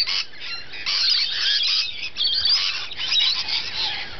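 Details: Rainbow lorikeets feeding together: a quiet start, then a thick layer of harsh, high screeching and squealing from multiple birds that carries on to the end.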